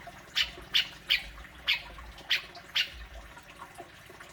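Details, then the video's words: Grey-cheeked bulbul, used to coax a caged bird into sound: a quick series of seven rasping, clipped notes, roughly two per second, with a steady low hum underneath. "Burung cucak jenggot,besetanya luar biasa"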